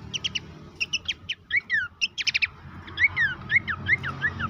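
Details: Horsfield's babbler song played for caged birds to make them active and vocal: spaced groups of sharp chirps and falling whistles over steady low background noise.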